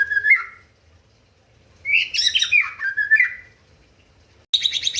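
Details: Provocative song of a white-rumped shama aimed at rivals: a short whistle, then a long tumbling phrase of whistled and harsh notes, ending with a buzzy burst.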